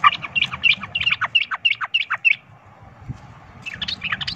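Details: Sooty-headed bulbul fighting song meant to provoke rivals: about eight sharp, downslurred chirps in quick even succession, a short pause, then another burst of jumbled high notes.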